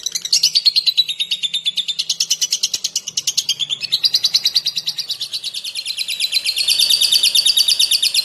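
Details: Lovebird chattering: a long rapid series of high, buzzy chirps at about three per second, shifting gradually in pitch and growing louder toward the end.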